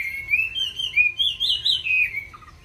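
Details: A Chinese hwamei delivers a brief, fluid phrase of its song: smooth, gliding high whistles that rise and fall in a connected run, ending with a soft, low double note.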